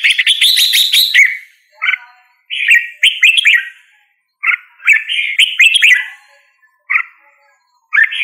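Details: A red-whiskered bulbul opens with a loud chattering outburst, then sings spaced, slurred whistled phrases separated by short silences.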